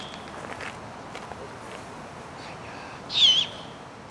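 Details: Great horned owlet siblings, nestlings to fledglings, at dusk in Golden Gate Park, San Francisco: a single short, raspy screech late in the clip, preceded by faint thin chirps and soft background murmur.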